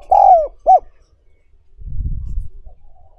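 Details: Spotted dove used for training wild-caught birds: one long, smooth falling coo and then a short rounded hoot, followed by a rumbling low noise.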